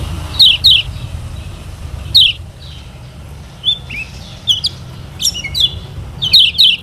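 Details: Lemon-bellied white-eye from Lombok, a tutor song for other birds: sparse high chips in quick pairs, a short slurred note near the middle, and paired chips again at the end over a low hum.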